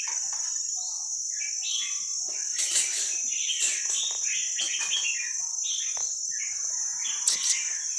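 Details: Young wild Vietnamese red-whiskered bulbuls singing, played to train other young birds: bursts of short chirped and warbled notes, several overlapping, over a steady high insect-like hiss.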